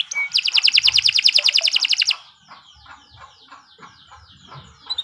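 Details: Nusantara canary, long song used to train other birds: a brief burst of fast, even trilled notes for about two seconds, followed by faint, scattered chirps over low background noise.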